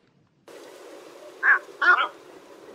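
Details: Egret call meant to lure birds into traps: after a brief silence, steady hiss sets in, then one short harsh croak followed by a louder doubled grating croak.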